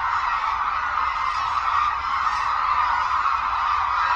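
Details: Massed hooded cranes at Suncheon Bay Wetland in Korea, where migratory birds flock in; many voices blend into a continuous nasal, honking roar at even loudness throughout.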